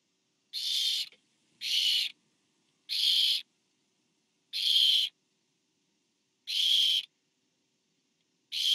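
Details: Barn owl nest, 24 September 2015, as a parent brings food to an owlet: six rasping, breathy screeches of about half a second each, spaced a little over a second apart, in a quiet background.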